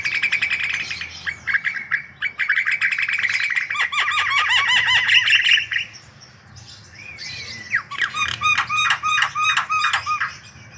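Javan myna in a busy, varied song: rapid chattering bursts, harsh squawks and clear falling whistles, with a rising whistle and a brief pause midway.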